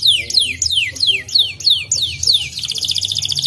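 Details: White canary singing, played so that other canaries become fired up and sing: a run of loud whistled notes that slide sharply downward, repeated about three times a second, then a fast, high, buzzy trill.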